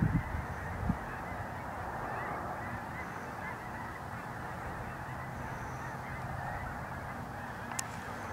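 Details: Mixed geese, Canada and snow geese among them, wheeling in a flock above a corn field, giving a continuous wall of layered honking that stays even throughout, with a couple of sharp knocks at the start.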